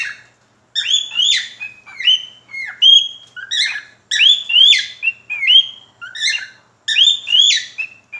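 A cockatiel sings a lively run of whistled, warbling phrases with rising and falling notes.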